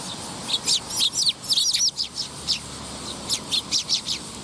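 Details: A young sparrow filmed on 20 August 2021 chirps busily: rapid bright, high tweets, some bent into short rising and falling slurs, come in dense bursts, then space out into evenly repeated single notes.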